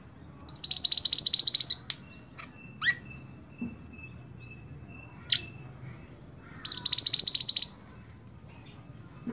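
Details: Scarlet-backed flowerpecker singing, used as a tutor recording for training songbirds: two bright, high, rapid buzzy trills of about a second each, several seconds apart, with a few thin, sharp chips between them and a faint low hum.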